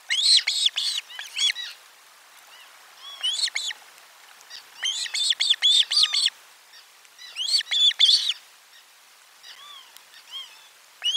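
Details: Osprey at nest 4 on 12 July 2022, around a lunchtime fish delivery, calling in bursts of sharp, high, whistled chirps, several quick notes per burst with short pauses, in otherwise quiet surroundings.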